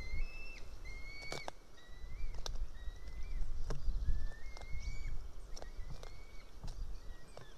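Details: Juvenile female white-tailed eagle calling loudly close to the nest while her mother feeds on a fish, morning of 8 July 2018; a steady series of thin, slurred whistles, each dropping at the end, with sharp clicks and background rumble.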